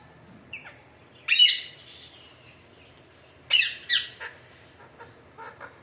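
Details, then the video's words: Alexandrine parakeet calling in harsh, grating squawks, two loud bursts about two seconds apart, each a quick cluster of rough notes, with fainter chatter at the start and end. "Alexandre parrot sound"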